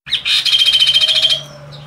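Chestnut-capped Babbler giving a quick run of about a dozen high, pulsing chirps in just over a second, then falling quiet.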